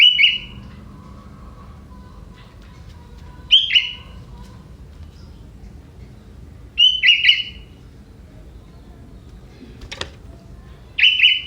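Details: Young wild forest sooty-headed bulbul singing a song with prinia-style fill: short bright slurred phrases with a sharp downward flick, given about every three seconds, four phrases in all, over quiet low background hiss.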